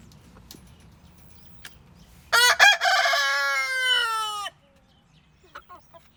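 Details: Rooster letting out a loud crow: two short opening notes, then a long rasping note held for about two seconds that gently lowers in pitch, with a quiet yard and a few soft clucks afterward.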